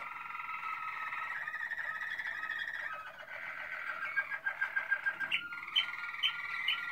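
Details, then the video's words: Malinois Waterslager canary with continuous bubbling, rolled trills and soft whistled phrases, changing tour several times and ending with brighter, louder repeated chirped notes. "Malinois Waterslager 2016"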